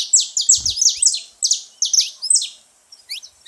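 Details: At a bird feeder, a saffron finch makes lots of noise. Rapid, bright, high chirps stream out in close bursts, fading into scattered notes near the end, with one low thump early on.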